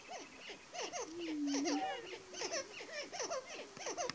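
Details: Prairie chickens on 30 March 2018 around dawn. A dense run of rapid, yelping cackles repeats through the clip, interrupted by one drawn-out low moan in the middle.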